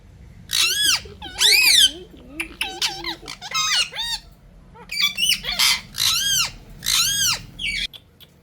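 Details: Ring-necked parakeet vocalizing: a series of loud harsh arched squawks and screeches repeated roughly every second, with some shorter chattering notes, over faint background hum.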